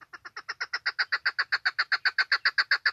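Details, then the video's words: Female chukar calling, a voice offered for hunting: a rapid, even run of hoarse clucking chuck notes, about seven each second, growing slightly louder and holding steady for the whole stretch, with nothing else audible. "Female chukar best voice For hunting"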